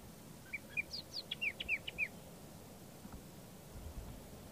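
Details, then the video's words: Layard's Warbler (Tit-babbler) near Hanover singing from the top of a bush: a quick phrase of about a dozen clear, high, slurred whistled notes, some rising and some falling, over about one and a half seconds against soft rumble. "Layard's Warbler (Tit-babbler) singing"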